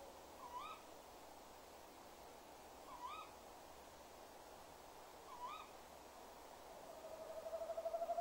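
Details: Tawny owls at a nest box, 19:56 on 20 January 2016: the male rolls convincingly, then calls enthusiastically in short, sharp calls about every two and a half seconds, answered by the female's drawn-out tone.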